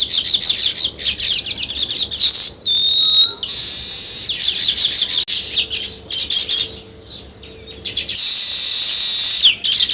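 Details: Weaver birds chirping during nest building: stuttering chatter and loud buzzy sizzles, a pure high whistle around the third second, and a long hissing trill closing the sequence.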